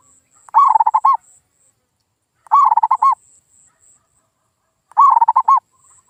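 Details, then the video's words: Lure call of a zebra dove, played to coax mute local doves into replying and singing: three bursts of rapid, bubbling low coos, each about half a second long, spaced roughly every two seconds, with a thin high insect-like whine behind. "SUARA PIKAT PERKUTUT GACOR"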